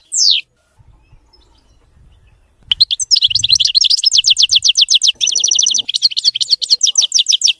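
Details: A European goldfinch, or maqnin, sings a clean song without errors: one high descending slur, a quiet pause, then a long, lively sequence of fast repeated twittering and tinkling notes.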